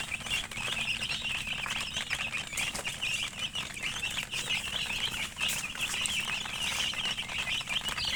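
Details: Chicks of domestic chickens chirping in a constant high chorus, with rustling and shuffling noise mixed through the busy peeping.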